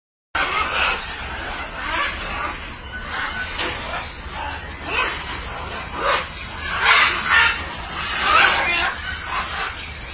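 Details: Green-winged macaws from a colony give harsh, raspy squawks in uneven bursts, several birds calling over one another against a steady background hum.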